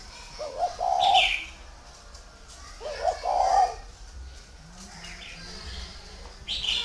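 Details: Tame, large spotted dove at a Ba Vì bird farm, northern Vietnam, delivering two mellow cooing phrases about two seconds apart, each a brief note then a drawn-out rolling coo, with faint background chatter and chirps.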